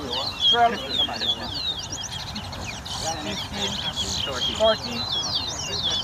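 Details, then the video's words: Towa towa (large-billed seed finch) singing in a bird race competition at a bird ground in Guyana, 2022: quick high twittering phrases and short buzzy trills in bursts, over a steady murmur of crowd voices. "TOWA TOWA BIRD RACE"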